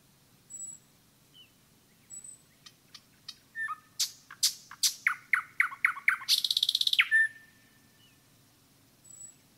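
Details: Common nightingale song in a forest: sparse high notes build into a fast run of sharp clicks, then a buzzing rattle that drops into a short low note, with faint notes before and after.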